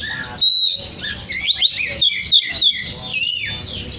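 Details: An oriental magpie-robin sings energetically to attract others of its kind, opening with a loud piercing level whistle and following with quick bursts of bright chirps and sweeping notes.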